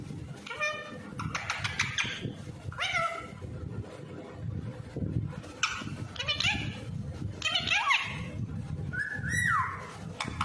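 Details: Ring-necked parakeet kept as a pet, mimicking speech like "give me kiss": rapid clusters of raspy, harmonic syllables and a final falling whistled note, repeated through the recording over low background rumble.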